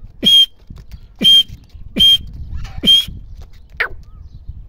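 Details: Female grey francolin giving four loud, short, high whistled call notes about one second apart, each starting with a low thump, followed by a quieter faint note; light background rustle.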